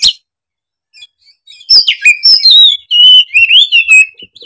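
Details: Oriental magpie-robin (kacer) in full, energetic song, described as singing emotionally and showing off its varied repertoire: a short sharp note, then a loud rapid run of whistled, buzzy and sliding phrases, mostly high-pitched, in a quiet setting.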